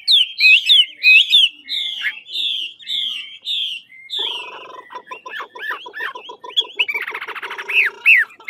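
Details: Large Chinese hwamei of the 'ngũ trường' type from Lạng Sơn, voice training: a series of loud looping whistled notes repeated about once a second, then a rapid buzzy chattering stretch and a few rising whistles to finish.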